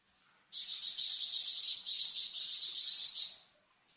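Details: Flamboyan bird singing a varied song meant to train cucak ijo and magpie robin: one sustained three-second high, rapid chattering trill that pulses slightly in loudness, with silence before and after.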